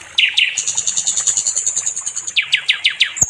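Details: Nightingale (sikatan londo) song used to train other songbirds: two slurred descending whistles, then a fast, very high rattling trill held for nearly two seconds, followed by four quick falling whistled notes.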